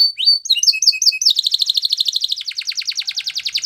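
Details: Spanish Timbrado canary training song: a few high whistled notes and chips, then a long fast metallic trill of rapid repeated high notes, very high-pitched throughout, quiet background.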